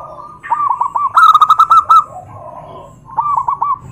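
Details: Zebra dove calling in a way that provokes other doves to answer: staccato cooing notes near one pitch, a loud rapid rattling burst of cooing in the middle, then softer trailing coos and a final short cooing phrase.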